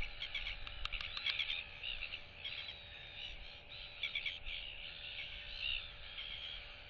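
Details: Royal albatross chick, still young, displays and whistles to nearby chicks while they clack at it, 8 July 2023; quick clacking taps early on, then a series of drawn-out harmonic whistles.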